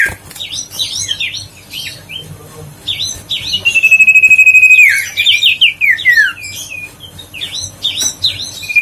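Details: Huýt cô bird voice played to rouse reluctant birds into song: busy chattering whistles, then a held steady whistle and a fast cascade of descending slurred notes, followed by scattered chirps.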